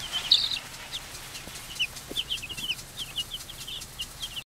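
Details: Two-week-old Light Sussex chicks settled in a chicken tractor just outside a back door; a flock of thin, high peeps, short and repeated in quick irregular bursts, with faint low background rumble.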